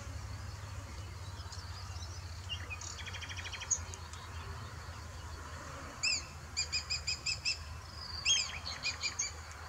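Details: A black kite calls on 6 June 2023, giving high, thin, quavering notes, then a fast whinnying series of about eight evenly spaced notes, over a steady low rumble.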